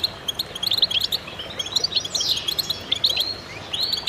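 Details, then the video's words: Chorus of several goldfinches singing together, played to stimulate other birds: dense high twittering and tinkling chirps with quick trills and a few rising slurred notes, voices overlapping continuously. "voices a chorus of goldfinches in concert to stimulate birds"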